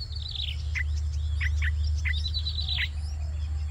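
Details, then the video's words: Yellow-vented bulbul chicks on day 5 of feeding, hungry and being fed, give thin, high, rapid squeaks that drop sharply in pitch, several per second, over a steady low rumble. "Feeding Hungry Chicks - Yellow vented bulbul"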